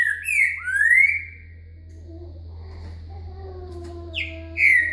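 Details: Green-winged Saltator (trinca-ferro) 'boca mole' song with a 'virada' turn, used as a song-lesson recording, from Minas Gerais, Brazil: loud, clear whistled phrases that slur upward, then a quiet gap and a second whistled phrase, over a steady low hum.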